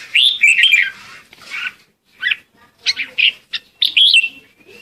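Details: Lure song of a red-whiskered bulbul used to call the flock: a warbling phrase, a pause, then several short chirpy notes and a rising whistled ending.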